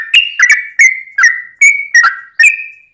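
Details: Sooty-headed bulbul in full, long rolling song used to lure other bulbuls into answering: a series of seven clear whistled notes, each with a sharp start and a slight downward slide, spaced about every 0.4 seconds.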